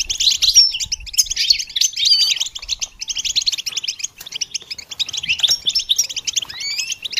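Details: Goldfinch song meant as training stimulation for songbirds: busy high twittering with brief gaps and a clear rising whistled note near the end.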